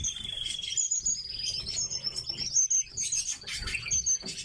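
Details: Kept in captivity, tits utter sharp, high chirps and short jittery trills, repeated in quick bursts amid soft rustling and clicks.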